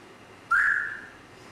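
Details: Grey parrot giving a single clear whistle, a steady mid-pitched tone lasting about half a second that fades gently, over a quiet background.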